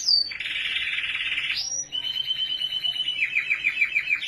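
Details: Canary in Australia singing a dense buzzy roll that rises into a high whistle, followed by a fast even trill of repeated notes quickening toward the end.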